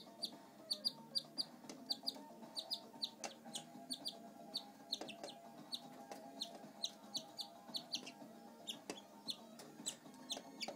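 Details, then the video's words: Pet male canary, shy on camera, repeating bright, high chirps steadily several times a second for the whole stretch over a constant low room hum. "Crazy canary"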